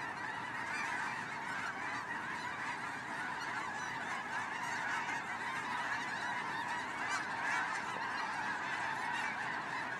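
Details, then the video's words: A vast migrating flock of snow geese calling at once: a dense, unbroken roar of high, nasal, barking honks with no pauses. "Snow Goose Migration"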